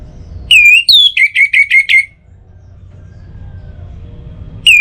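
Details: Orange-headed thrush singing, a lure for morning and evening: a clear dipping whistle, a higher falling note, then five quick identical whistles in a row, followed by quiet hum and the start of another phrase.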